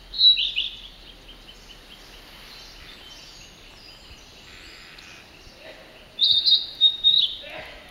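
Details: Narcissus flycatcher singing: a short high whistled phrase at the start, a long quiet gap with faint distant notes, then a brighter burst of clear warbled whistles near the end.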